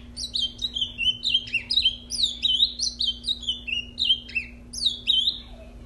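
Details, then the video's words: Ultramarine grosbeak, a caged male that had just mated and was set out to sing, pours out a long unbroken run of quick whistled slurs stepping down in pitch, over a steady low electrical hum. "Azulão Maluco 🤪 do amigo Elson 🇺🇸 esse é máquina 🇧🇷"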